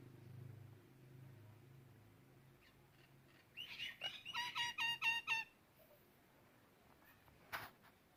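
A common myna gives a quick burst of about eight ringing, slightly harsh chirps in under two seconds, after a low background hum, with a sharp click near the end.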